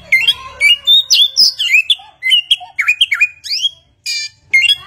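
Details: A hwamei, or samyong, mimicking varied sounds: a rapid, restless stream of rising and falling whistles, slurred swoops and clipped chirps, changing pattern almost every note, with one brief pause near the end.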